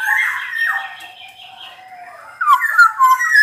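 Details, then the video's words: Black-naped oriole singing actively: a loud whistled phrase drops into a long, steady low note, followed by bright, fluty warbled notes in quick succession. "Burung kepodang gacor dor"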